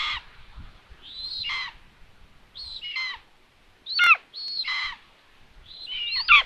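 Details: Common buzzards at a live nest camera in Tiszalök, Hungary, in June, during food delivery to the nest. Mewing, downslurred calls, about six over six seconds, each a high drawn-out note falling away.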